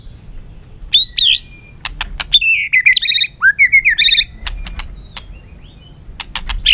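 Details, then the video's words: Excited white-rumped shama running and flapping across its perch floor, singing to provoke other shamas into competitive song: varied looping whistles broken by sharp clicks and quick ticking notes, over a low background rumble. "chòe lửa rực lửa đập chạy sàn cầu, hót dụ chim kích lửa hót đấu căng lửa"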